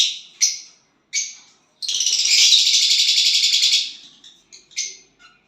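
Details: Violet bird singing when it gets a partner: several separate high chirps lead into a long, loud, pulsing buzzy trill of about two seconds, then scattered soft chips.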